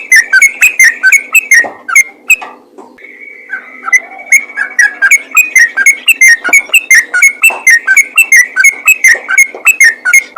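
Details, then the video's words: Yellow-vented bulbul in ropel style, a call used to make other bulbuls sing: rapid bubbly whistled notes repeated in a chattering stream, broken by a brief pause and a longer steady whistle before the chatter resumes. "BURUNG TRUCUKAN ROPEL GACOR FIGHTER||PANGGILAN AMPUH UNTUK TRUCUKAN LAIN AGAR RAJIN BUNYI"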